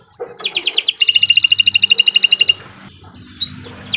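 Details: Singing canary on a tutor track for young birds: a long dense trill of rapid, evenly spaced notes lasting over a second, a quiet gap, then short rising whistles starting again.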